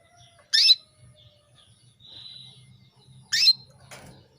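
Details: Female canary calling a male, used to bring him into breeding readiness: two sharp, bright chirps about three seconds apart, a soft hum between them, and a brief rustle at the end.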